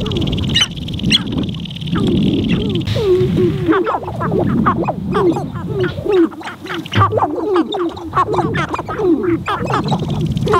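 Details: Several wild sharp-tailed grouse on their spring lek in Montana, heard from a blind: a busy stream of short, clucking and chirping notes that overlap and repeat rapidly, with low wind rumble and some blind noise underneath.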